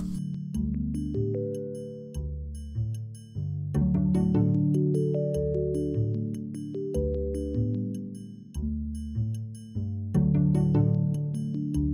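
Gentle mallet-percussion music with ringing chime-like notes over low sustained tones, and no animal sounds.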